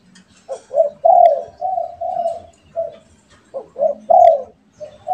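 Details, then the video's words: Spotted doves, one a pet and one wild, answering each other with repeated phrases of soft, burry coos. Short quick notes lead into a loud long coo, followed by smoother drawn-out notes. "DERKUKU PIARAAN VS DERKUKU LIAR BERSAHUTAN_MERDU SUARANYA"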